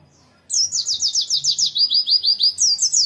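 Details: Oriental white-eye singing in the morning: a fast run of high, clear descending whistled notes, about three per second, briefly shifting lower mid-phrase before rising again.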